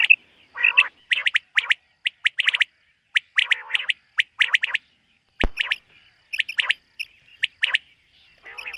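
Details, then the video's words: Batair, the common quail, calling at dawn-time on a summer meadow in 2023: clipped multi-note bursts in rapid series, one sharp click midway, quiet background. "Common Quail. Bird sounds from summer meadow |suba batair ki awaz 2023 | morning batair 2023"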